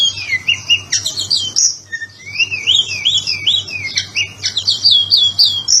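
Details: Oriental magpie-robin, a caged songbird in Indonesia, performing 'ngobra patah' song for training other birds: quick rising whistles in series, buzzy high chatter and brief gaps, about three to four notes per second, faint hum in background.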